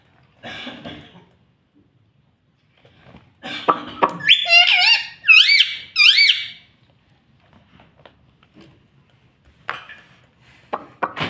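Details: Talking pet ringneck parrot saying "mummy": scattered squeaks and rustles, then a burst of loud, wavy, harmonic speech-like syllables in two or three phrases, followed by quieter squeaky clicks in a small room.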